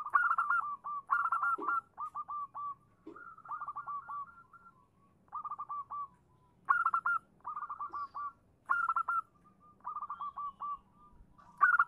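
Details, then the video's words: Local female zebra dove calling to a male, used as a lure to make males answer; rapid stuttering bursts of short cooing notes, some phrases louder and higher, repeated with brief gaps throughout, with a faint low rumble behind. "suara perkutut betina memanggil jantan"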